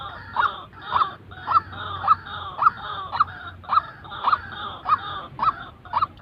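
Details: White-breasted waterhen, a genuine call for training trapping decoys: a rapid steady series of nasal honking notes, about eleven in six seconds, partly blurred by a loud rough hum and noise.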